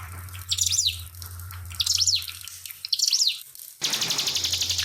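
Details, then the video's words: Pied fantail song with added trickling water: three separate bright chevron-shaped whistled phrases, each rising then falling, spaced about a second apart, followed by a sudden fast high trill, over a constant low hum. "SUARA MASTER CIBLEK PINUS NEMBAK SUARA ASLI TAMBAH KEMRICIK AIR"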